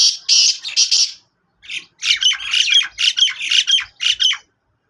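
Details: Black francolin of the Sindhi type from Sindh, calling in loud harsh squawky bursts: a short grating group, a pause, then a longer run of rasping notes in rapid, uneven rhythm, about two per second, with no other sounds.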